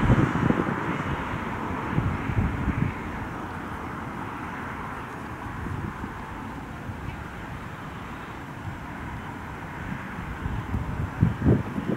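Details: Steady low rumble of wind and a distant aircraft or traffic, with bumps of handling noise and no animal calls.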